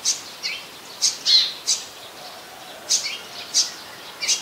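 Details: Olive-backed sunbird calling in a mangrove forest at the Sirinart Rajini centre: thin, very high chips repeated in loose clusters, a short gap midway, then three more evenly spaced notes.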